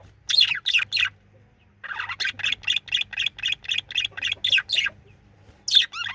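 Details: Male budgie chirping and singing: a few sharp chirps, then a quick regular run of short buzzy notes about four per second, ending with a high squeaky chirp after a pause; soft low hum in the background.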